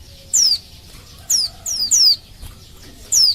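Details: Female Oriental white-eye calling to males in Indonesia, used to lure males into singing: four high, thin whistled notes, each sliding sharply downward, given singly at irregular intervals over a quiet background.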